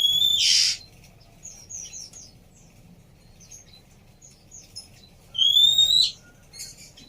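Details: Female Oriental magpie-robin whistling, used to coax a silent male back into song: a loud rasping burst, a run of soft high chips, then a long clear upslurred whistle followed by a brief note.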